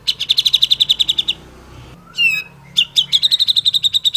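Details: Grey-cheeked bulbul delivering fast, even trains of bright, clipped chirps at about six per second, interrupted by one descending, wavering whistled note before the rapid chirping resumes.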